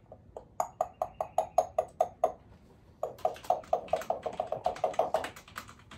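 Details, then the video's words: A female Congo African grey parrot, chatty and wearing a poncho against feather-plucking, makes a fast run of hollow, popping clicks, about five a second, pausing and restarting indoors while her owner works. "African Grey Parrot chats with dad while he works"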